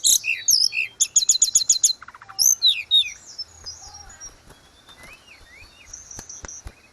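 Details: Tledekan gunung, the grey-cheeked bulbul, in lively song used to train caged birds: loud high chips and a quick run of about seven repeated notes, fading into softer wavering whistles and a thin trill.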